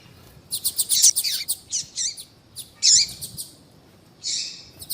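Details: Calling female yellow-bellied seedeater, used to stimulate males: a rapid cluster of high chips, then spaced single chirps, and a final longer, buzzy note.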